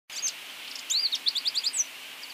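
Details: Drakensberg siskin song, a species of South Africa's Cape province, 13 to 14 cm long: a rapid string of high, thin, rising twittered notes after a short opening chirp, over steady background hiss.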